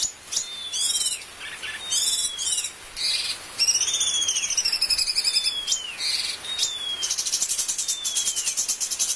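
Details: Bulbul master recording for training birds: repeated sweeping downward whistles and short squeaky bursts, a wavering high trill in the middle, and a fine continuous insect-like rattle at the close.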